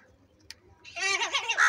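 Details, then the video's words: Crows crying loudly while feeding and squabbling: after a brief quiet tick, a rapid run of nasal, wavering caws with rising and falling harmonics fills the last second. "Crow crying continuously and Fight - Crow eating and feeding Salty - Crow Sound Loudly"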